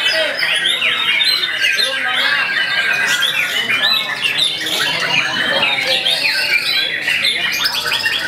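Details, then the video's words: Talented young white-rumped shama kept by an owner, delivering a long, energetic burst of jumbled chips, squeaky whistles and buzzy trills, densely packed and loud across the whole stretch. "MURAI BATU GIANT II KERJANYA NGOTOT MURAI MUDA"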